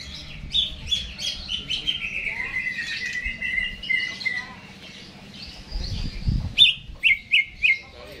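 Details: Caged greater green leafbird singing energetically before being hung up: a run of varied whistled and warbled phrases, then four short repeated notes near the end, over a low background hum, with a man's brief remark afterward.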